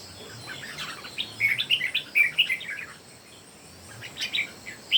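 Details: Red-whiskered bulbul, one of three birds singing in competition: bright warbled phrases of short whistled notes clustered around the middle of the clip, a quieter burst near the end, over a faint steady hiss.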